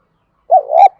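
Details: Spotted dove giving a luring coo meant to draw replies from wild doves: one smooth, low hollow phrase swelling and then ending, with the next note just starting as it cuts off.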